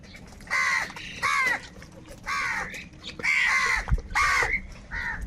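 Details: Angry crows squabbling for food: six loud, raw caws with short gaps between them, grouped in pairs, plus a sharp knock near the end.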